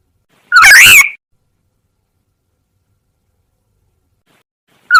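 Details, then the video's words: Lure call of a black-naped oriole for drawing in wild birds, one loud rasping slurred note with rich harmonics, then a long silence before the next call begins at the end. "Suara Pikat Burung Kepodang"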